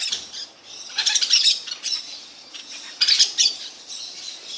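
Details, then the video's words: Parakeets give two loud clusters of grating, rapid squawks around one and three seconds, with quieter rasping calls filling the gaps between. "Maritacas (ou como é bom ouvir os pássaros)"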